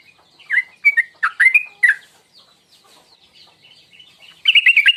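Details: Sooty-headed bulbul, a tuklik ngingklong lure call to provoke singing: several loud slurred chirps, a quiet pause with faint background chatter, then a rapid warbled trill.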